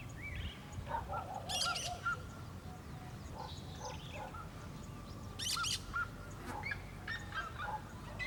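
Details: Cactus parakeet calling in the Caatinga: harsh, broadband screeching bursts near 1.5 and 5.5 seconds. Other birds' thin whistles and chirps are mixed in over a steady low rumble.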